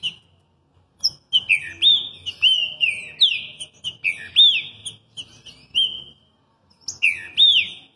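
Green-winged Saltator singing loud, clear whistled phrases of rising and slurred notes, delivered in quick bursts with short pauses, against a quiet background.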